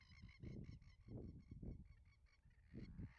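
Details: Banded stilts at the Western Treatment Plant, Wyndham, Victoria, in April 2024, giving short, nasal, yapping notes repeated rapidly and overlapping as from several birds, over heavy low wind rumble.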